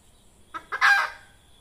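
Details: Wild red junglefowl hen, a recording used by trappers to lure birds: two brief clucks rising into one loud, rasping squawk that fades quickly, against a quiet background.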